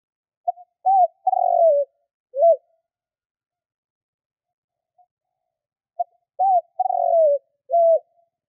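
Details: Cooing of a spotted dove, played to attract wild doves: a brief pip, a rising-falling coo, a drawn-out descending croon and a short end note, repeated twice with a pause between phrases.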